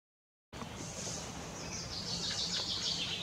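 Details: Middle spotted woodpecker (Dendrocopos medius) at its nest, giving a fast, continuous stream of thin, high, buzzy chattering notes, several per second, over a faint low background hum.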